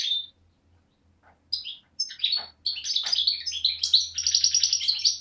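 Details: Young parva goldfinch from Beni Snassen, Morocco–Algeria frontier, recorded 8 January 2012: a single note, a pause over a low hum, then accelerating tinkling phrases ending in a rapid rattling trill.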